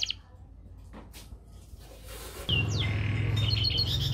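A canary sings bright whistled notes and quick high trills, some sliding downward, over a loud steady low hum that starts partway through.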